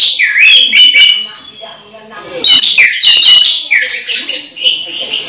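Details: Orange-headed thrush about to moult yet still singing: rapid sequences of bright downslurred whistles and chattering notes in two bursts separated by a softer lull.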